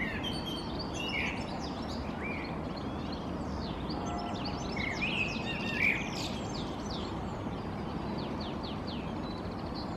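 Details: Goldfinch perched in a tree in Helsinki, Finland, April 2023, delivering fast, tinkling twitter: dense high chirps and trills interspersed with brief nasal, buzzy notes, one sharper accent near six seconds, against constant low-pitched outdoor noise.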